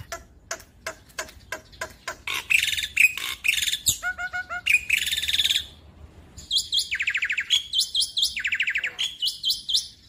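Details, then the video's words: Starting with spaced dry clicks, a young Black-winged Starling's lure song builds into scratchy chatter, clear whistled doublets and fast buzzy trills, 'gacor nembak' style for birds that stopped singing. "Pancingan Jalak Putih Macet bunyi / Jalak Putih Muda - Jalak Putih Gacor Full Nembak"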